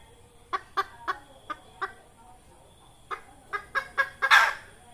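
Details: Red junglefowl hen call used to lure birds for trapping: spaced short clucks, then a faster run of clucks ending in a harsh squawk.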